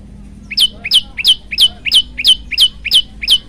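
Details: Energetic olive-backed tailorbird song used to tutor other birds: a steady run of nine sharp paired notes, a soft low chip then a piercing falling whistle, close to three per second, with faint low hum behind.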